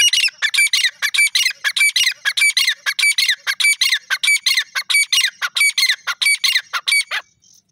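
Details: Grey francolin, called dakhni teetar, giving a loud, rapid series of harsh, squawking notes with high ringing overtones, about a hundred per minute, steady throughout and ending abruptly.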